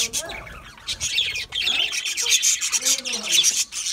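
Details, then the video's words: Seed-eating budgerigars chatter with bright chirps and rasping squawks, some lower whistled notes sliding underneath, and seed husking in the background. "Budgies eating seed mix foods"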